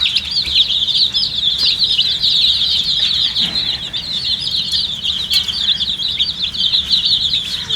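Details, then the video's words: Many dyed baby chickens, thirsty and drinking water, keep up a bright, continuous cheeping, short piercing notes tumbling over one another throughout. "MURGI chicks Chirping sounds with thirst for drink water"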